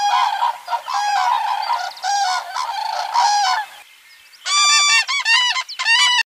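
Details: Common cranes (Grus grus) give loud, rolling trumpeting calls: a run of hoarse bugles, a brief pause, then clearer, ringing bursts repeated in quick succession.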